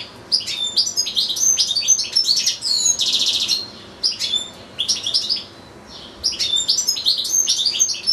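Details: Caged European goldfinch in full song beside a fellow goldfinch and two young goldfinch-canary hybrids: tinkling chirped phrases broken by a dry buzzy rattle, short silent gaps separating three lively bursts of twittering.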